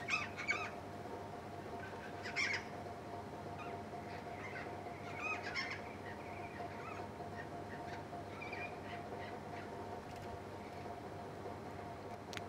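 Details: Endangered pink cockatoos gathered at a waterpoint, uttering scattered harsh, grating screeches at irregular intervals, some faint and distant, against steady background hum.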